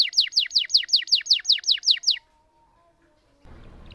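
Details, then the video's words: Canary song meant to stir silent canaries: around nine quick falling slurred notes in steady rhythm, then silence, followed by a low rustling noise. "Burung Kenari Gacor Ngerol Panjang Untuk Pancingan Kenari Macet"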